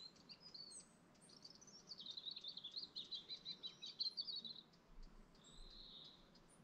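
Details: Lakeside dawn chorus in the Lake District National Park: a fast, rapid twittering trill of high notes runs for about three seconds, then a thinner whistled phrase, with faint low background noise.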